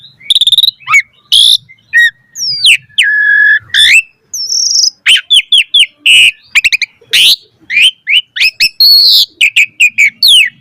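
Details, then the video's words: Asian pied starling in rich, varied song used as a master recording for teaching starlings: dense bursts of chattering chips and whistles, a held flat whistle in the middle, then rapid repeated slurred notes to the end. "Pancingan Jalak Suren Gacor Full Variasi Untuk Masteran Suara Burung Jalak Agar Gacor Full Isian"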